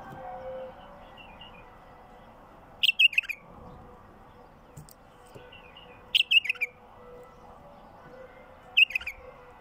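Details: A wild bulbul, recorded as a lure for wild bulbuls, gives three brief chirpy warbling bursts spaced about three seconds apart, with a faint softer phrase early on and a constant electrical hum underneath.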